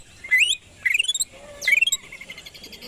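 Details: Greater green leafbird, kept as a songbird, singing to provoke other birds: bright rising whistled slurs and rapid chattering notes in short bursts, with a lower sliding whistle in between.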